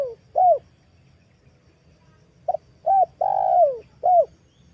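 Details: Female spotted dove calling as a lure for wild doves: an arched coo, a pause, then a short double note, a rounded coo, a long descending hoarse coo and a closing arched coo, repeated in a steady phrase.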